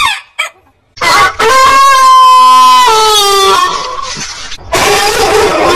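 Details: After a brief pause, a rooster crows a long, level, ringing note that drops slightly in its final part, then another rough, noisy crow follows.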